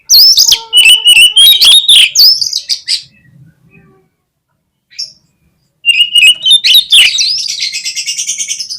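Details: Magpie-robin song played to provoke other oriental magpie-robins into singing: rapid loud whistles mixed with hard chips, a short gap with one faint note, then a bright rising whistled phrase running into a sustained buzzy trill.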